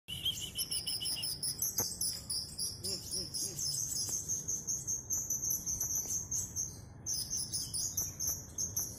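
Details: A Van Hasselt's sunbird in full, active song pours out a fast, high, sizzling song of thin twittered notes, almost without pause, with a few soft lower notes briefly beneath.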